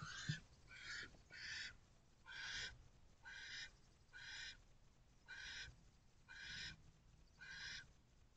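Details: Barn owl family at a nest box on 26 April 2023 as the male brings a rodent to the female and owlets. Rapid series of about nine short, raspy hissing screeches, almost one per second, fairly irregular.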